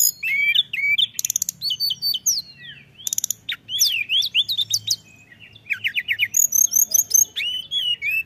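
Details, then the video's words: A Mountain tailorbird singing actively: a fast, varied, high-pitched song of thin whistles, sharp slurred notes and quick trills, with barely a pause. "tledekan gunung gacor bikin emosi dan langsung bunyi"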